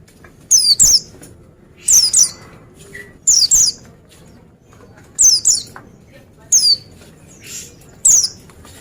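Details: Oriental white-eye singing energetically, repeating paired high, thin, falling whistles roughly every one and a half seconds over a quiet background.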